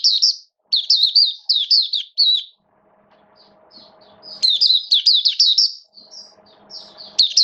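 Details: Oriental white-eye (mata puteh), a caged hobby bird in rainy weather, opening its song: high twittering down-slurred notes in clustered bursts, broken by a pause filled with soft low humming before the twittering resumes.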